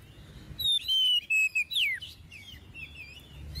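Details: Oriental magpie-robin song meant for tutoring young magpie-robins: a run of level whistles stepping down, then a sharp falling slur, followed by softer warbled notes at lower volume.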